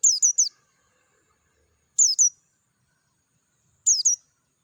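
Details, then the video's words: Dakun Oriental white-eye singing in the wild with clear tone: three short phrases of thin, very high chirps falling in pitch, the first with three notes and the next two with two each, roughly two seconds apart against a still background. "PLECI DAKUN NGALAS SUARA JERNIH"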